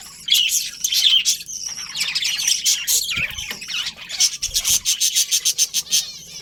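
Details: Colourful budgerigars in a colony, mixed warbles and squawks early, then a fast, even run of about a dozen clipped chirps repeated several times a second.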